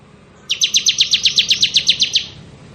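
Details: Bar-winged prinia, crystal type, delivering a ngebren burst: about fourteen crisp high chirps in quick, regular succession, then quiet.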